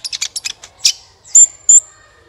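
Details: Sunbird in lively gacor song, used as a lure to prompt other birds to sing: a quick run of sharp high chirps followed by two bright, thin whistled notes, clean background.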